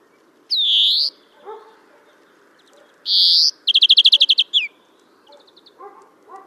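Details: Song of a European greenfinch, Kholm, Novgorod oblast, Russia, April 2015. A drawn-out nasal wheeze, a second wheeze, then a quick run of about ten bright chirping notes, with faint lower chirps from other birds.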